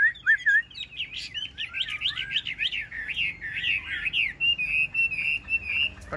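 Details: Caged yellow-billed Chinese hwamei, described as about 85–90% tame, singing while rain falls: rapid, varied whistled warbling phrases that swoop up and down, running into a steady trilled series at the end over a faint low rumble.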